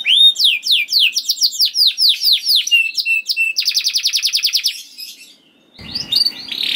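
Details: Canary song used as a training recording to prompt other canaries to sing: rapid series of descending whistled sweeps, then a fast buzzy trill, a brief pause, and a short rising phrase, all high-pitched and loud.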